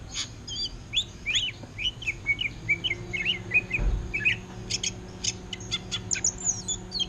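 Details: Caged greater green leafbird, offered for sale, singing in an orange-headed thrush style: a run of short whistled slurred notes, then rapid sharp clicking chips and high trills, with a steady background hum.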